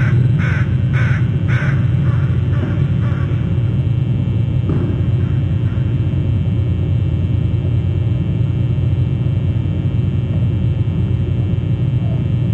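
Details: Crows returning to roost at 6:19 pm on 7 September 2012: about six harsh, hoarse caws in quick succession over the first three seconds, then only a steady low rumble like distant traffic.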